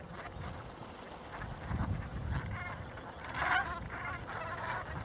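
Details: Pink-footed geese (Anser brachyrhynchus), one of hundreds in a snowy winter field by Norfolk coastal marshland between Brancaster and Wells-next-the-Sea, 6 February 2012, give short, high yelping flock honks in scattered bursts over low wind rumble and a brief human voice.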